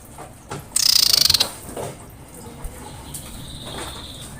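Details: Female common iora calling to a male in breeding condition: a single loud, rapid pulsed chatter lasting under a second, high and harsh, followed by faint scattered notes.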